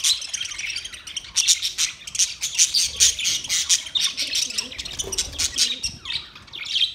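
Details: White and green parrots in a colony keep up a dense, noisy jumble of raspy squawks and chatter, loud and continuous throughout.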